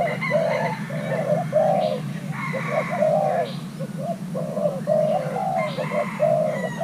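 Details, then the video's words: A young Thai hybrid spotted dove male, paired with a mate, coos in lively repeated phrases of mellow notes, with some thin higher chirps and a steady low hum in the background. "Kích xem nước chơi của gáy thái lai trống tơ đang ghép đôi"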